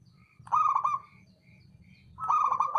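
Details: Two rich, rolling, vibrato coo phrases from a male local zebra dove, about two seconds apart, over a low murmuring background.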